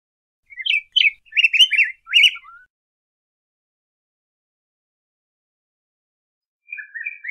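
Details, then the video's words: Yellow grosbeak song: a burst of short, rich warbled notes over about two seconds, then silence, and a brief further warbled phrase at the very end; no other sounds. "Picogrueso Amarillo Canto! Sonido! Cantando! Reclamo! - Yellow Grosbeak Song"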